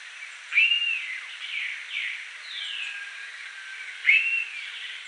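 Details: Blue-billed curassow at Reserva Los Besotes, Cesar, Colombia: two strong rising-then-falling whistles about three and a half seconds apart, with several softer descending whistled notes in between.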